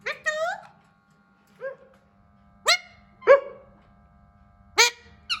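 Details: Speech-like attempts from a hand-tame Alexandrine parakeet: isolated sharp rising squawks and a short wavering phrase spaced a second or more apart, in a quiet room with faint background hum.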